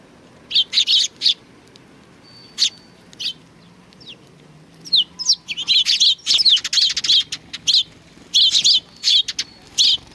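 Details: Sparrows coming to greet at a Tenmangu shrine, recorded 3 July 2020: clusters of quick high chirps, irregular and sometimes overlapping, growing busier after the fifth second as several birds call together.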